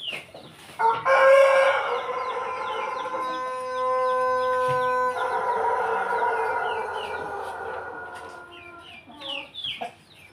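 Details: Pelung chicken in a house yard in Jogja (Yogyakarta), Indonesia, giving one long, drawn-out, richly harmonic crow that holds steady for about seven seconds before fading, over constant high, descending peeping chirps from other birds.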